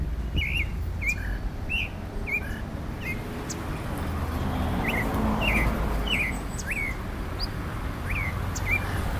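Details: Clay-colored thrush, known as the yigüirro and the national bird of Costa Rica, gives short whistled notes with quick up-and-down inflections, about four per second and irregularly spaced, over a steady low rumble of traffic and faint higher chirps.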